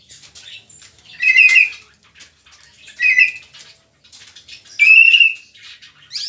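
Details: A mockingbird from Soacha sings three loud, clear phrases about two seconds apart, each a bright whistled note topped by harsher, buzzy overtones, with quiet chips between them.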